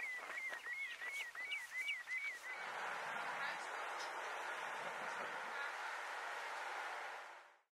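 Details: A black guillemot of the Icelandic subspecies islandicus on Flatey, Iceland, in June 2019 gives a quick series of thin, high, wavering whistles, about three per second for two seconds, followed by steady wind or surf.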